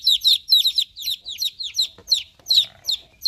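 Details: Loud, high chick peeps, each falling in pitch, come rapidly at first and then spread out. A soft click is heard partway through.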